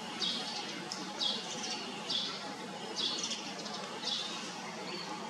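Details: Pied fantail calling: short, high, squeaky bursts repeated about once a second, five in a row, each a quick cluster of thin notes, over a steady low background hiss and rumble.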